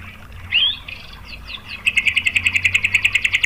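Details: White-rumped shama song for provoking other shamas to sing: a soft whistled upslur and faint notes, then a loud fast trill of sharp repeated notes for the last second and a half.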